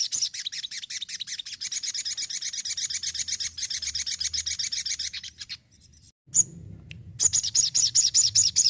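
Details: Energetic crimson sunbird pouring out a long, rapid high trill for about five seconds, then after a short pause resuming with a run of thin, piercing chips.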